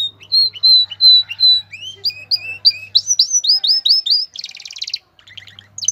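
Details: Male canary in breeding condition, with a female's call, sings bright high whistled notes, repeated chirps and rising trilled phrases, then a dense buzzy rattle before a short pause; faint low electrical hum underneath.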